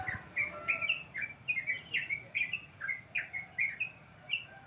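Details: Wild birds chirping on a cool morning beside rice fields at the edge of a village: short, bright chirps, some with a rising or falling sweep, repeated several times a second over a steady background hiss.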